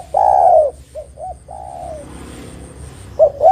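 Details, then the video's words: Spotted dove calling to lure companions for trapping, beginning with a long coo, then softer paired coos and a fading long note, a faint low rumble, and two loud coos at the end. "Suara Burung Derkuku GAcor Untuk Pancingan Dan Pikat Derkuku Lain Pasti Nyaut"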